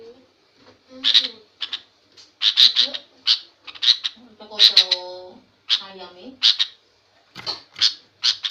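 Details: Sooty-headed bulbul, a female, used as a lure whose noisy calling makes any other bird answer angrily; scattered harsh rasping squawks, singly and in pairs, with softer lower warbling notes in between.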